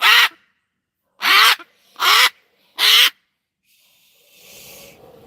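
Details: Outdoor pet cockatoo set off by barking neighbourhood dogs lets out four raspy, strident screams in quick succession, then quieter rustling noise follows.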